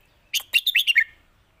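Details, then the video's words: Red-whiskered bulbul giving a 'lak wai' master song: one brisk phrase of six loud, bouncy whistled notes, rising and falling, over about three quarters of a second in near silence. "นกเสียงทอง!!เพลงลากหวาย สุดยอดเพลงแม่บท"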